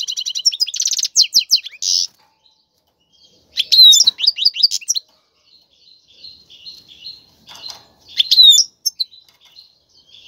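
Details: Caged male European goldfinch singing to encourage a female to mate: three bursts of quick liquid twittering and trills separated by pauses, with faint soft chirps between.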